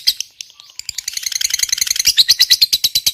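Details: Fighter-type lovebird in long ngekek chatter, played to coax silent birds into calling: a few scattered chirps open, then the notes build into a rapid, rising run of harsh, high rattling pulses.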